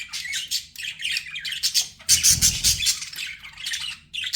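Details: Budgerigars kept as pets chirping to soothe lonely birds: dense, harsh chattering squawks and chirps in quick bursts with brief pauses, plus a low thumping noise in the middle of the recording.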